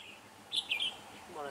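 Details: Red-whiskered bulbul used while trapping on 17 November 2017, singing to lure rivals: one short burst of two loud, bright warbled notes, set against a faint background hiss.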